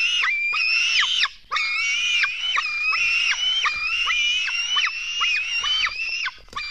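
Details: Nestling black storks at a nest in Latvia, fed at 04:53 on 24 June 2016, scream continuously. Their strained, nasal wails are strung together with a brief gap after the first second.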